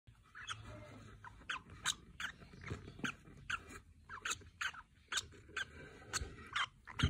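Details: Rosy-faced lovebirds, including mauve, roseicollis and yellow sable colour forms, give shrill, squeaky chirps in quick, uneven bursts, about two a second, over a low rumbling background.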